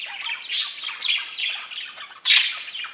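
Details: Pet budgerigars chirp in a scratchy, warbling chatter with two loud squawks standing out, one early and one near the end.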